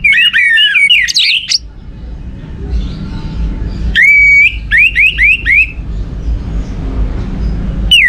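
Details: Orange-headed thrush song used as a lure to stimulate other birds to sing: loud, varied whistled phrases rising and falling, with short bursts separated by pauses and a low background hum.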